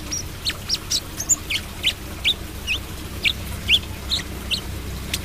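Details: Brown-throated sunbird singing trotol style: a steady series of about a dozen sharp, high chirps, each a quick downward slur, spaced roughly every half-second, over a low hum.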